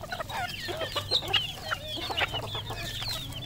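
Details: Domestic-raised decoy red junglefowl calling: a busy run of short, high, chirping and clucking notes, many rising or bending, overlapping from several birds over a steady low hum.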